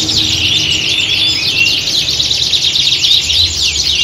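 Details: A squad of canaries singing as at a competition, recorded to train contest birds; overlapping fast high chirps, short whistles and descending slurs in a continuous busy chorus with faint low hum.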